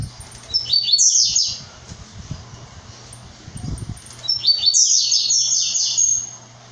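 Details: Two high, buzzy, sputtering phrases from a brown-plumaged blue-black grassquit, roughly four seconds apart, each a quick cascade of slurred notes. A low hum and some soft knocks sound between them.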